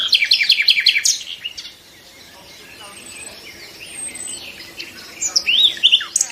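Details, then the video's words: Nightingales singing in a short lull: a fast burst of repeated high chirping notes at the start, then quieter scattered notes, a thin high whistle, and a second rich run of rising and falling phrases near the end. "A few minutes of lull with the sound of nightingales"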